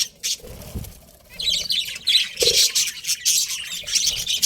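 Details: A quiet start with soft rustles, possibly wing flutters, gives way to continuous high budgie chirping: rapid, scratchy twittering that grows louder and denser through the second half.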